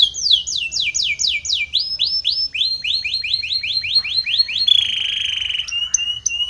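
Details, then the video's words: A training song from a Spanish Timbrado canary: series of swooping descending whistles at several pitch levels, each set repeated quickly, then a dense buzzy trill and a few sharp clicks. "Spanish Timbrado canary song for training"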